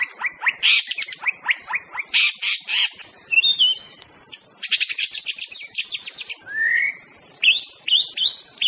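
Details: White-rumped shama from Aceh in a master-song recording, delivering sharp high chips in rapid series, a short warbled run, and a long rising whistle, over faint steady hiss.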